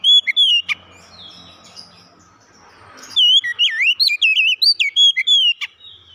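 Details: Oriental magpie-robin song used to get a silent bird singing again: after a faint opening note and a quiet stretch, a loud run of varied whistled, slurred notes rises and falls in quick succession for about two and a half seconds.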